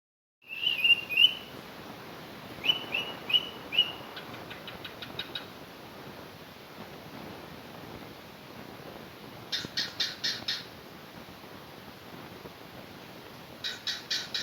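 A cockatiel sings short, clear whistled notes, then bursts of rapid, buzzy chirping chatter.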